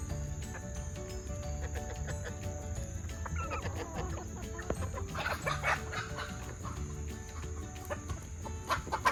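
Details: Several F2 junglefowl hybrid chickens and game hens in a yard at feeding time cluck and squawk in short, overlapping bursts over a steady low rumble, with a constant high-pitched whine throughout.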